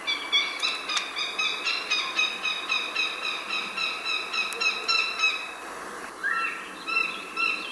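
American Goshawk giving a loud, harsh cack-cack-cack series, about four sharp notes a second, steady and insistent, with a quieter call near the end.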